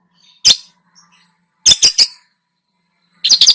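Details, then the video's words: Long-tailed shrike in loud mimicry-filled song meant to stir other birds: one hard scratchy note, a rapid triple of harsh notes, then a fast trilled burst at the end. "burung cendet gacor, full isian"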